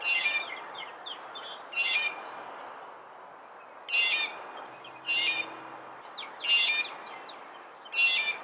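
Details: Red-bellied woodpecker calling: short, rough, rolling notes in bursts of under half a second, repeated roughly every one and a half seconds, over a soft hiss of background noise.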